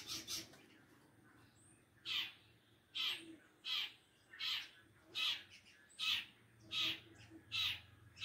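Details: Harsh, rasping notes from a Long-tailed shrike, each short and strident, repeated at an even pace of a little more than one per second after a brief pause at the start.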